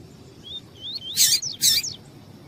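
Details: Female double-collared seedeater calling to stir a male: soft rising whistled notes lead into two loud, rasping, very high chips, each followed by a short faint whistle.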